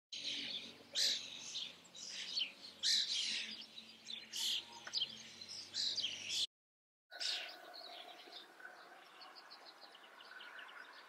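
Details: Common starling in the Eifel, Germany, singing a varied run of short chirps, whistles and buzzy notes in bursts, broken by a brief silence before softer chattering continues.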